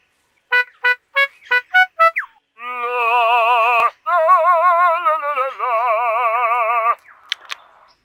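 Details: A Superb Lyrebird, an Australian ground-dwelling mimic, imitating an alarm: five quick rising beeps, then long, rich, wavering siren-like notes that pulse and warble for several seconds.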